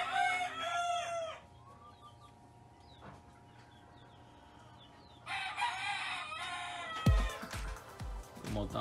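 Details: Roosters crowing in the background beside a homemade egg incubator, with several different birds heard. Harmonic, arching crows open the recording and return near five seconds, over low background music, with sharp knocks toward the end.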